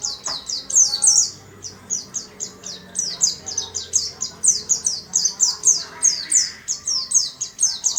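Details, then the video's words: Warbling white-eye kept in a small cage, singing diligently with a fast run of thin, high, downward-slurred chirps packed closely together for eight seconds, soft background murmur underneath. "Burung Pleci rajin berkicau di sangkar kecil"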